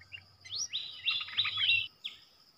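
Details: Streaked bulbul flock in the wild, recorded as a lure call: drawn-out buzzy, slurred notes merging into a chattering phrase, then a short final chirp, with a low steady hum in the background.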